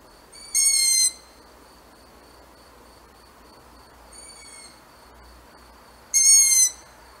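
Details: Barn owl calling twice, each a loud, strained, high-pitched tone with rich overtones lasting about half a second, the two calls some five seconds apart, with a much fainter similar call between them against a quiet background.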